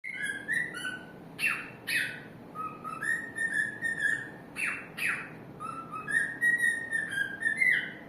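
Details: A cockatiel (Nymphicus hollandicus) sings a warbling run of clear whistled notes, broken by a few harsh, downward chirps.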